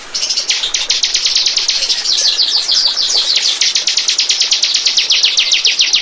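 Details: Bar-winged prinia song used as a lure: a long, rapid, unbroken trill of sharp, high chips, steady for six seconds.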